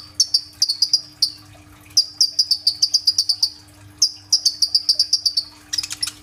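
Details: Sunbird, known locally as kolibri ninja, singing energetically on a phone, recorded as a lure for other birds: repeated runs of rapid, evenly spaced high chirps separated by brief gaps, ending in a dense buzzy flourish.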